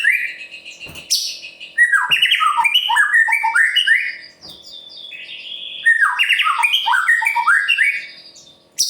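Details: White-rumped shama of the murai pastol type singing to goad other birds: two fast, dense bursts of varied whistles and trills with a quieter gap between them and a few sharp clicks.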